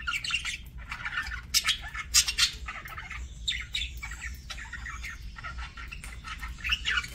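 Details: Budgies during a meal keep up rapid, irregular chattering: short grating squawks mixed with thin tweets, several notes per second, with a steady low hum underneath.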